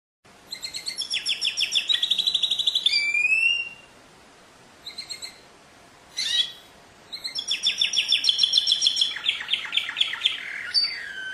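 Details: Canary singing: fast rattling trills of repeated notes, a rising whistled sweep, short pauses, then a long bright trill of rapid repeated notes with a faint steady hiss underneath.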